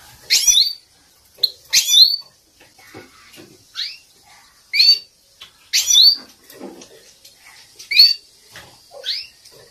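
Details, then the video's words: European goldfinch training recording of a female's wisht call, played to excite male goldfinches in captivity: about eight bright, upswept, slightly buzzy notes in ten seconds, spaced irregularly, with faint soft rustling and clicks between them. "The best training song || ویشت مستی برای مست کردن سایره"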